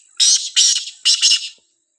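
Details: Black francolin (kala teetar) in a village gives a short phrase of three rasping, scratchy bursts, the last falling off quickly into silence.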